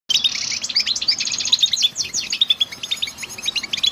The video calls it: sounds of the hero goldfinch bird